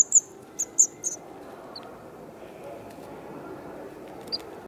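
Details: White wagtail nestlings two days before fledging, in Kumiyama, Kyoto, Japan, on 3 June 2019, give five thin, very high squeaks in the first second, then two fainter ones later, over a steady low background rumble.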